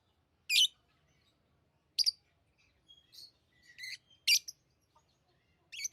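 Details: Pet lovebirds chirping: a few sharp, high, broadband chirps spaced about a second or more apart, with softer thin whistled notes between them and quiet pauses.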